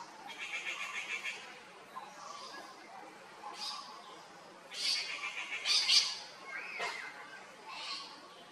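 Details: Grey-fronted green pigeon pair in Kerala calling: bursts of harsh, wavering whistled notes with buzzy harmonics, in irregular clusters that swell loudest near the middle and fade toward the end, over a faint hiss.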